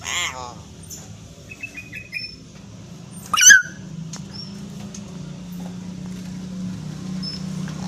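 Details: Common hill myna call meant to prompt other mynas to sing: brief wavering notes and short thin whistles, then one loud falling whistle with harmonics, over a steady low hum.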